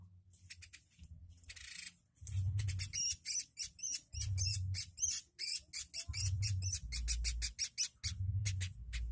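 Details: Woodpecker calling tirelessly, recorded as a tutor track for training songbirds: bursts of sharp, dry high chips in rapid irregular runs, with a brief hissy burst near the start and a low rumbling hum underneath.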